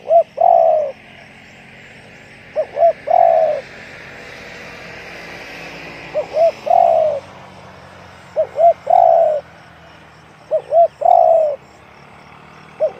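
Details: Deep-voiced spotted dove, 'one-kook' cooing type, repeating a two-note lead-in and long coo about every two to three seconds over steady background hiss and low rumble.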